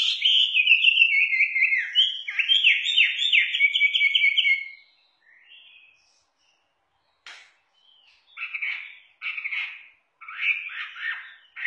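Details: Chinese hwamei song: a loud, rapid run of buzzy, rolling whistled phrases for about five seconds, then, after a pause, short bursts of harsh, chattering notes.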